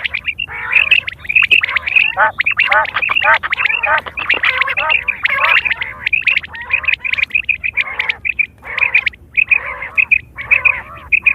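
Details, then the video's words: Quails recorded in September 2023, calls used for hunting and mating: a dense, overlapping chorus of nasal, squawking harmonic notes in quick, irregular succession, about a hundred a minute, with short gaps between bursts. "Quail fresh sound sep 2023/ batair ki awaz"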